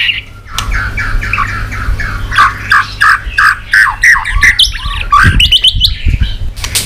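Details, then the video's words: White-rumped shama, stimulated to sing with tail-flicking, delivering a fast run of short repeated whistled notes, about three per second, that ends in a flurry of sharp clicks and high chips. "chòe lửa tạch đập đuôi sàn cầu dùng kích lửa cho chòe lửa lên lửa cực nhanh hót"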